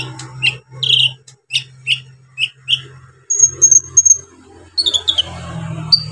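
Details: Brown-throated sunbird in full song, using coarse fill-in phrases to rile other sunbirds: a run of short bright chirps about every half second, then high thin whistled notes, with a constant low hum beneath.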